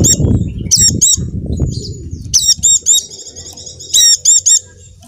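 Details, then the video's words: Lure song of a Javan dakun white-eye for caged birds that will not sing: loud flutter-like low thumps at first, then a quick series of shrill, high chattering notes in clustered groups. "pleci macet akan ikut bunyi dengar pancingan ini | pleci dakun jawa"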